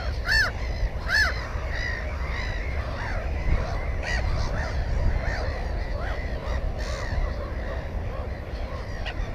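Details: Black-headed gull at its nest holding one egg and one chick, recorded 15 May 2016 on a GoPro 4: two loud harsh arched calls early on, then many fainter overlapping gull cries over constant low wind rumble.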